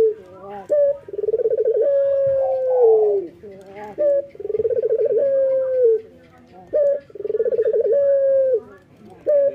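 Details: Male local Barbary dove singing actively in the morning: a brief clipped note, then a rolling pulsed coo that smooths into a long drawn-out falling tone, phrases repeated about every three seconds, with no other sounds nearby.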